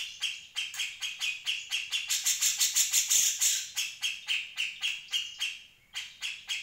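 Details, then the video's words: Energetic Grey-cheeked Bulbul chatter, kept as a tutor recording for other birds: repeated scratchy notes about three per second, briefly thickening into a bright, busy burst midway before steadying again. "Cucak jenggot"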